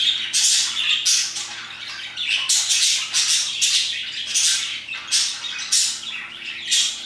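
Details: Around 2pm parakeets chirp busily, pouring out harsh, high squawks in a rhythmic run of bursts about every half second over a faint low hum.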